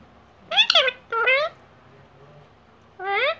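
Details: Pet Indian ringneck parrot, kept uncaged, talking: three short, speech-like utterances with rich harmonic stacks and nasal, slightly rising tones, separated by pauses, in a quiet indoor setting.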